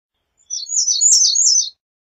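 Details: American redstart with one quick phrase of high, lisping, slurred notes, rising then falling slightly, lasting just over a second in otherwise clean silence.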